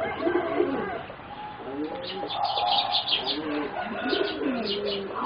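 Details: Young zebra doves of a line bred as competition singers, four birds aged about three and a half to four months, giving soft arched cooing notes in uneven runs, with sharp chirps and a thin steady tone behind.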